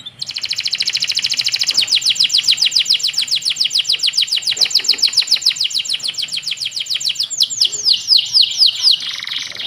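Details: Canary tutor recording for young birds: a long, even trill of rapidly repeated high downslurred notes, about three or four a second, ending in a dense buzzy flourish.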